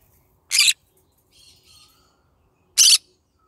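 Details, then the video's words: Pet yellow-sided green-cheeked conure in the morning giving two loud, harsh, noisy squawks about two seconds apart, with faint softer chirps between them. "My bird singing to day Green cheek conure yellow sided"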